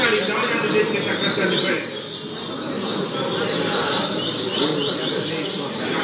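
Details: Double-collared seedeater singing as a tutor for learning youngsters: a high, busy run of quick twitters and short whistled slurs over a low continuous hum.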